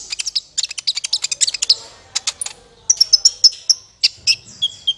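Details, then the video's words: Sunbird known as kolibri ninja, in a trapping lure: a rapid stream of high, sharp chirps, then several brighter piercing notes and a few thin whistled tones at the close. "SUARA PIKAT BURUNG KOLIBRI NINJA MANTAP SUARANYA JERNIH"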